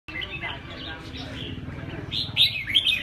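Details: Red-whiskered bulbul giving short warbled, slurred notes, with a brighter burst of rising chirps near the end, over a steady low hum and faint background voices.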